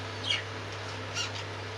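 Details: Cockatiel parrot, in a piece about its breeding season, giving two short bright chirps about a second apart over a steady low electrical hum.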